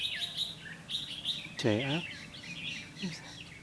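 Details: Decoy red-whiskered bulbul singing competitively to lure wild birds into a trap, recorded 12 August 2016; bright whistled phrases sweeping between high and mid pitch, broken by one loud, lower, harmonic call midway, with light background noise.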